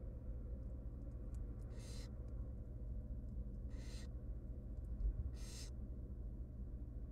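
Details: Wild barn owl nestlings, three tiny young fed by their mother in a nest box, give three raspy hissing screeches about two seconds apart, with faint scratchy ticks and a low background hum.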